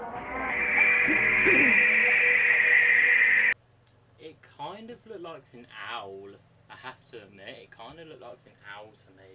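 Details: A Barn Owl, likely an angry one, gives one long, harsh, hissing scream for about three seconds, then a man speaks over a low hum.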